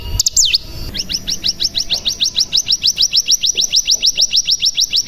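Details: ['Cigun lure sound, including ciblek fills: after a brief sweeping note comes a fast, even series of short high chirps, about three per second.']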